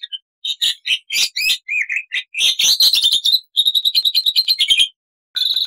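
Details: Black-winged starling in vigorous, full-variety song (gacor full isian) recorded as a tutor track for captive starlings: harsh broadband bursts, a few low whistles, dense chatter, then a rapid run of repeated clipped notes and a final buzzy phrase.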